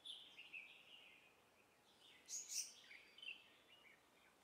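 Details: Female Verditer flycatcher recorded in Hong Kong giving thin, high twittering notes in a loose run, with two louder sharp chirps mid-way and softer scattered notes after, over faint ambient noise.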